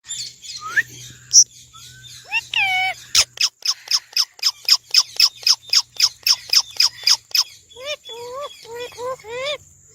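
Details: Indian ringneck parrot talking: a few rising and falling squawks, then a fast run of sharp clicking notes about four per second, ending in a series of short, quavering, mid-pitched whistles.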